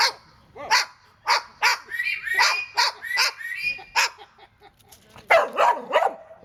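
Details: Pet bird mimicking dog barks while trading barks with a dog: rapid, uneven harsh bark notes mixed with short whistled phrases, ending in a louder burst of barks.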